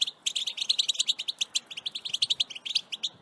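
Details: Rapid, continuous twittering of a European goldfinch in excited 'batbata' song, short bright notes tumbling quickly one after another with liquid trills mixed in.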